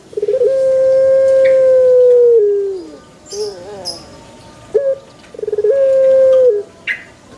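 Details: Pelung chicken crowing twice: prolonged, level ringing tones each held about two seconds and ending in a downward slide, with short warbled notes and faint scratchy sounds between them.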